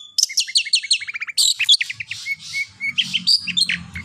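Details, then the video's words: Long-tailed shrike training song meant to set other shrikes singing: a quick run of sharp chirps slides into dense, scratchy, high chatter over a low background hum. "Terbukti ampuh... cendet lain bakal langsung bunyi || masteran cendet"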